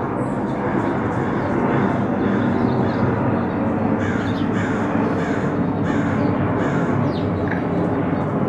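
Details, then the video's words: Angry crows in a neighborhood, giving hoarse, harsh caws in quick bursts about twice a second over a loud, steady rumble of background noise. "Angry Crows in the neighborhood"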